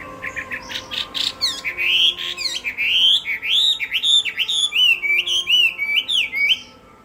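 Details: Loud Chinese hwamei contest song: short chips building into a fast, unbroken chain of rising and falling whistled slurs, ending abruptly into near silence.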